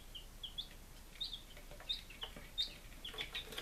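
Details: Day-five baby chickens, Lunenburg, Massachusetts, 23 July 2017, with a steady run of brief, high cheeping notes, roughly one or two a second, over soft tapping and shuffling.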